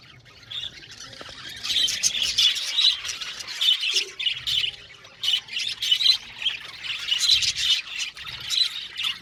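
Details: Budgerigars in a colony, quiet at first, then a swelling chorus of squawky chirps and chatter in irregular bursts from many birds.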